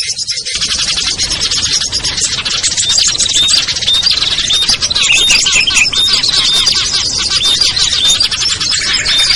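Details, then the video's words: Small birds such as ciblek, kutilang, trucuk, sogon and perenjak, in a lure recording meant to draw hard-to-lure birds down; a dense, continuous chorus of high chirps, twitters and thin whistles, loud throughout. "SUARA PIKAT BURUNG KECIL burcil AMPUH"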